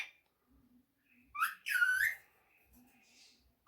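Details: Pet talking rose-ringed parakeet speaking Urdu and Hindi, giving one short harmonic, voice-like phrase after a sharp rising note, then faint low murmurs and a brief soft whistle in a quiet room.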